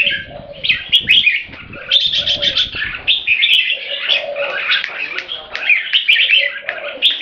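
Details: Tame purebred Thai red-whiskered bulbul, a caged competition bird, calls keke in dense, fast, chattering phrases that run almost continuously, with faint low cooing from doves behind.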